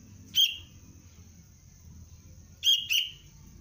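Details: A young Sooty-headed bulbul calling for its parent gives three short, sharp chirps, one alone and then a quick pair, over a low rumble and a faint steady high hiss.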